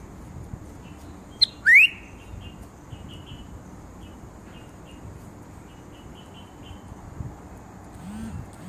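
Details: A bulbul gives one bright, steeply rising whistle followed by a scatter of faint, short chirping notes over a quiet, steady background hum.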